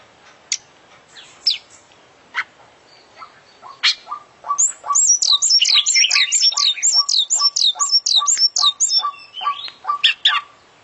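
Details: Oriental magpie-robin (kacer), an international champion bird, singing a full isian song: scattered sharp chirps, then a fast run of looping high whistled notes over a steady series of lower ticks about twice per second.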